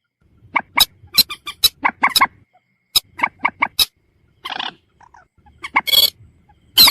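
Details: Common moorhen uttering abrupt, separated clucking notes with a few hoarse, buzzy rattles and a final loud harsh squawk.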